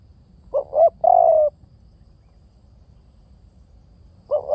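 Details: Spotted dove calling: a low, soft two-part coo, a brief note then a longer wavering one, followed by a pause and the start of another phrase, over faint low background rumble.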